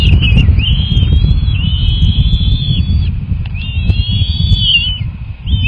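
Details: Bald eagle nest at feeding time with two eaglets, one hatched January 31, 2024, recorded March 18: a near-continuous chain of sustained, slightly wavering high whistles over loud low rumbling noise.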